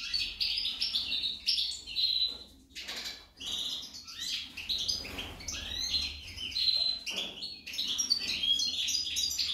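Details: Sustained high twittering from a female goldfinch, mixing quick chirps, tinkling trills and buzzy notes, broken by a short pause near the start.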